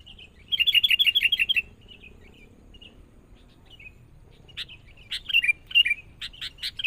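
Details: Sooty-headed bulbul being trained alongside a decoy bird: a fast rattling burst of repeated chirps, a pause with soft scattered notes, then loud sharp clicks mixed with slurred whistled notes.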